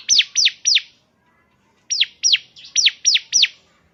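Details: Semi-fluent bar-winged prinia singing, used to prompt a caged bird to sing: three piercing, falling chirps, a second of silence, then a run of six more evenly spaced, bright, high notes.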